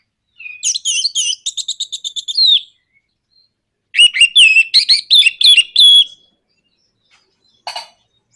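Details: Orange-headed thrush song for provoking other birds to sing: a quick run of about fifteen repeated buzzy notes, a pause, then loud clicking and slurred whistled phrases, and one last short rasping burst.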